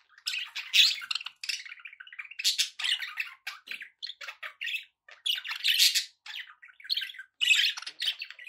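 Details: Pet budgies in continuous loud, raspy chatter and squawky warbles, phrases tumbling one after another with only brief breaks.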